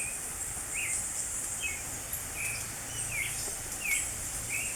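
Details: Spring song of a creamy-bellied thrush: around seven brief whistled phrases, slurred up or down, about one each second, against a steady high-pitched insect drone.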